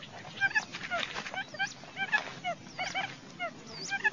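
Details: Quail sounds used to lure birds for decoy trapping: rapid, continuous chatter of short curved chirps and trills, several notes overlapping, against a steady low background hiss.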